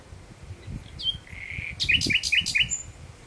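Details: Common nightingale singing at sunset in June 2017: a brief whistle and a drawn-out level note, then four quick, sharp chirps and a thin high whistle, with a faint low rumble behind.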